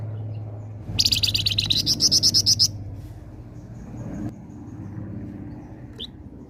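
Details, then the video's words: Chatty flamboyan singing, used to draw in flocking birds: a quick series of sharp, high, buzzy pulses, roughly a dozen over under two seconds, followed by quiet with a few faint chirps and a low hum. "flamboyan gacor cocok pancing burung ombyokan"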